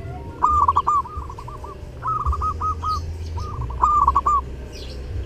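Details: Perkutut (zebra dove) in full song at Lebaran, three rolling cooing phrases of quick stuttered notes, each about half a second long, over a constant low mechanical hum.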